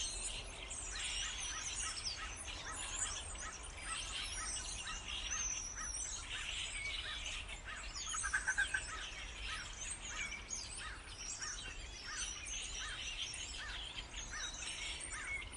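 Starlings in a dense, unbroken chorus of chattering, clicking and squeaky whistles, many birds overlapping at a rapid pace with a low rumble beneath.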